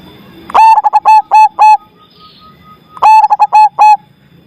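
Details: Zebra dove singing with a big voice in two bursts two seconds apart, each a staccato string of short rapid coos ending in longer held notes.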